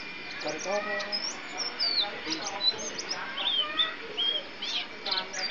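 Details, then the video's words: Champion white-eye, a contest songbird from East Java, sings rapid, high, thin whistled notes and quick slurred chirps in short bursts, with human voices talking underneath. "burung pleci jawara se jaktim"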